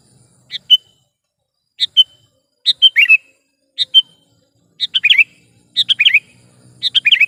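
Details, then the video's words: Chatty sooty-headed bulbul (kutilang), a sound suited to luring bulbuls for trapping and to tutoring: short phrases of two chips and a clear whistle, repeated about once a second, growing into fuller warbled flourishes. "suara burung KUTILANG GACOR"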